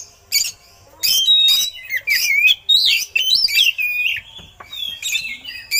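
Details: Oriental magpie-robin (kacer), a contest songbird, singing a loud, dense song laced with eagle-call imitations for tutoring other birds: harsh scratchy bursts alternate with looping whistles and twisting slurred notes, barely pausing for six seconds.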